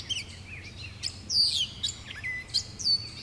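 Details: Gray catbird recorded on 30 May 2019 on a trail in Jackson County, Michigan: a jumbled string of squeaky, slurred and mewing notes, some rising and some falling, given in rapid irregular succession, with a steady low rumble behind.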